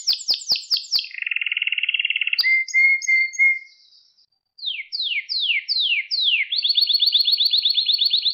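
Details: Canary song meant for training young singers: falling chirps, a low rattling trill, clear whistled notes, silence, then slow downward-slurred sweeps and a fast high trill.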